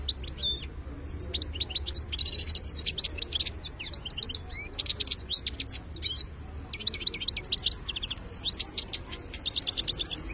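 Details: European goldfinch from the wild delivers a long, unbroken betbta-style song. Tinkling twitters, rapid rattled clicks and sharp little whistles tumble together in dense phrases with only brief pauses, over a soft low hum.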